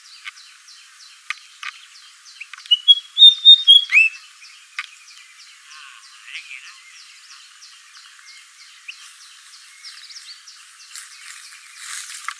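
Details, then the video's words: White-browed fantail (Rhipidura aureola) song: a short phrase of clear, sweet whistled notes, rising then falling, over a steady, rapid ticking chorus of insects or frogs. "White-browed Fantail Song"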